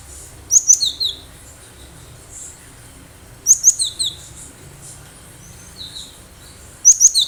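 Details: Cinereous tit, a wild bird in full voice, kept as a lure for other birds: short bursts of high, sharp chirps, each a cluster of three or four notes, returning roughly every three seconds with faint thin notes between.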